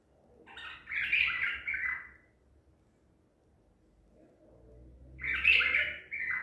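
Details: ['Two full, liquid warbling phrases from a Baghdadi-type white-eared bulbul caught at Medical City, April 2021, separated by a three-second pause with a faint low hum.']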